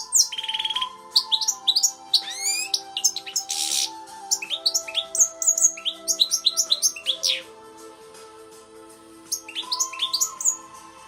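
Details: European goldfinch kept indoors as a tame pet bird from the Netherlands, trained with a CD of British finch song: rapid tinkling twitter with a buzzy trill and a harsh rasp, then a pause before more twittering, over low steady tones.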